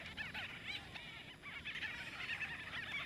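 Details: Several white-fronted bee-eaters in Kruger National Park, South Africa, quarrelling over nesting space, giving a steady jumble of brief arched chirps and squeaky notes overlapping one another.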